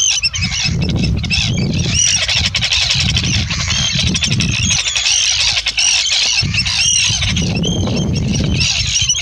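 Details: Arctic terns recorded in July 2016 give harsh, grating, high-pitched calls that overlap continuously from several birds, over a steady low rumble of wind.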